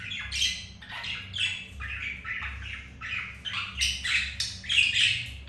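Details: Budgerigars at home during mating, a male with a second female after the first refused him; busy, continuous scratchy chatter of short squawks, roughly one a second, over faint background hum.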